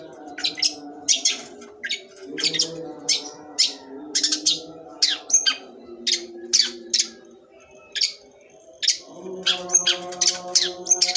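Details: Long-tailed shrike (cendet sembur) delivering a long series of sharp, scratchy chirps repeated several times a second, briefly pausing, then resuming, over a steady low humming background.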